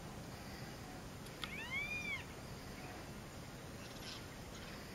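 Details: Green-barred Woodpecker (nattereri), a male at its fence-post nest in Brazil's Pantanal at Fazenda Santa Tereza, 27 September 2013, gives a single loud arched mewing note with clear harmonics, then quiet hiss.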